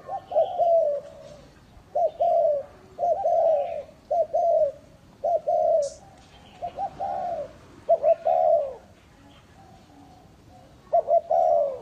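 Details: Spotted dove lure bird from Ba Vì, Hanoi, repeating low cooing phrases of a short note then a longer hollow coo, with brief gaps between and faint sounds of other birds.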